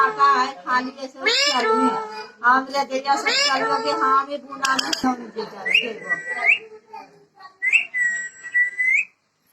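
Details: Talking parrot producing rapid speech-like syllables with rising and falling inflections. It ends with two long, clear whistles that slide upward.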